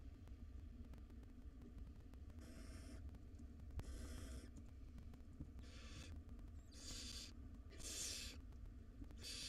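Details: Hungry barn owl young, five wild nestlings in a nest box at feeding time, hiss about six times, the bursts coming quicker and louder toward the end, over a low droning hum.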